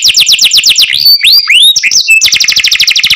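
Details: Canary cenkok song, very clear and close: quick falling whistled notes, a middle passage of rising and curving slurred whistles, then a fast rattling trill of repeated notes.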